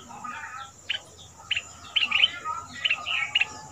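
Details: Red-whiskered bulbul, a southern Thai cage bird kept two months, of the double-note style, used as a decoy for young birds to copy; short whistled phrases repeated about every half second over a steady high hiss.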